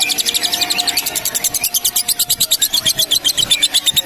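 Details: Female fighter lovebird in its long-duration 'ngekek panjang' chatter: rapid, harsh, high notes repeated about seven to eight times a second in a steady, unbroken run, with a faint low hum beneath.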